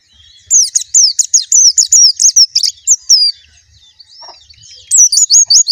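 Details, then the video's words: Rapid chain of high, thin, looping whistles from a white-eye, delivered in a loud burst for nearly three seconds, a short pause, then another quick volley of curling notes. "suara burung plecci"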